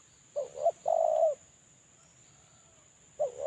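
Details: Caged spotted dove used as a decoy lure bird, currently moulting, cooing: a short wavering double note followed by a longer steady hollow coo, then another phrase beginning about three seconds later; faint steady high whine throughout.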